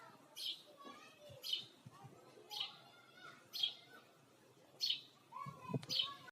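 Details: Repeated high sparrow chirps, about one per second, over a noisy background with some faint lower sounds.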